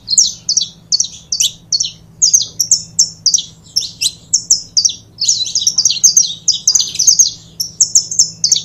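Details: Two saffron finches sing in a pair, trading crisp high chirps in short quick bursts that grow denser in the second half, accompanied by a faint constant low hum.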